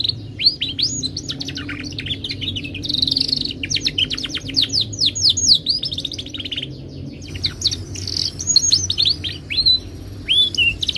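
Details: Melodic song of a Timbrado canary, long run of rapid descending sweeps, a short buzzy trill, a pause, then more varied rolling phrases over a quiet low hum.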